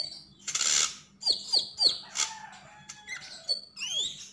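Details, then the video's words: Javan grey-throated white-eye: a loud rasping burst, then three quick whistled notes with steep downward slides, followed by varied twitters and a final rising-and-falling whistle. "Sogon sogok ontong gacor dan ngobra"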